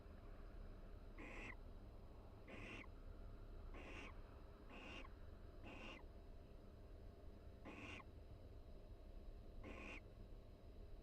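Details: Barn owl pair in a nest box at the University of Florida during the breeding season, chatting quietly while preening each other; seven short hissing, breathy bursts, spaced roughly one to two seconds apart, over a low steady hum.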